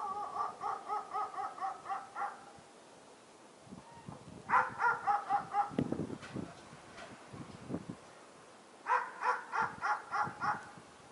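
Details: Fieldfare in late winter giving bursts of rapid, harsh chattering notes, about four per second, in three runs separated by pauses, with rustling and soft thumping sounds between them.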